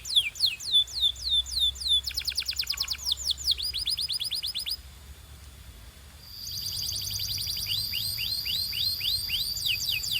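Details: Canary singing a training song used to coach other canaries: quick series of downward-sweeping whistled notes, a buzzy rattling trill, more sweeping notes, then a long steady whistled tone beneath repeated swept phrases.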